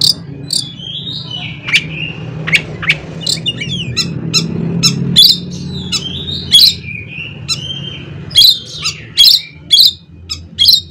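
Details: Oriental magpie-robin (kacer) singing its "isian konslet" filled song to provoke rivals into song; long drawn whistles alternate with sharp harsh bursts roughly every second, above a low background drone.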